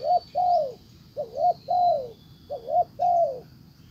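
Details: Decoy spotted dove calling a wild bird: three quick phrases, each a warbling double coo followed by a long descending mellow coo, with a faint steady high-pitched tone.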